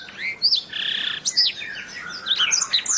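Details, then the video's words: A canary on a masteran training recording gives a harsh, grating buzzy note held for about half a second, followed by high whistled slurs and rapid chirping. "Ocehan Suara Burung Kenari"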